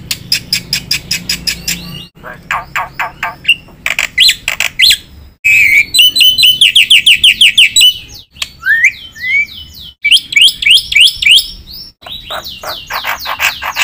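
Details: Black-winged myna delivering a long, varied song of mixed fill-in phrases: rapid harsh chattering bursts, a run of quick whistled downslurs, and sweeping upward whistles, with abrupt changes between segments.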